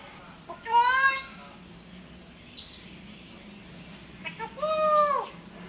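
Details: Pet African grey parrot, talking and dancing while asking for food, gives two loud, strained, nasal vocalisations about four seconds apart, each slurring downward, over a steady low indoor hum with faint squeaks between.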